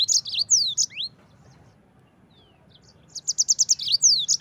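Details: Yellow-fronted canary singing hard for bird training, rapid and tight with rough bursts: short high chirps and slurred whistles, a two-second lull, then a fast trill of repeated notes ending in sweeping whistles.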